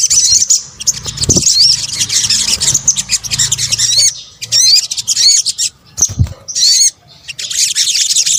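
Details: Combined sunbird lure sounds: long bursts of shrill, rapid high twittering broken by short silences, with repeated sharp upward-curving whistled notes, and occasional low knocks.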